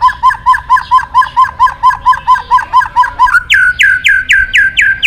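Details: White-rumped shama in full song, calling a rival: a fast, regular series of loud looping whistled notes, about two per second, switching to a string of higher sweeping slurred whistles.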